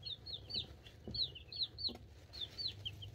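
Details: Two-week-old chicks, a mix of Cream Crested Legbar, Buff Orpington, Black Sexlink and Partridge Silkie, in a brooder, recorded on a cell phone: rapid high descending peeps in quick irregular bursts over a low steady hum.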